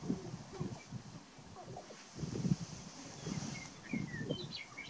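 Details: Male sharp-tailed grouse displaying on a lek at Burwell, Nebraska, on March 29, 2018: low, pulsing clucks and coos in scattered bursts, with thin whistled notes from other birds higher up.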